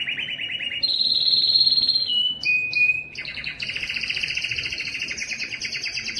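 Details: Belgian canary singing its loudest song for attracting females to breed: pure whistled notes at changing pitches, then a rich double-layered rapid trill sustained to the end.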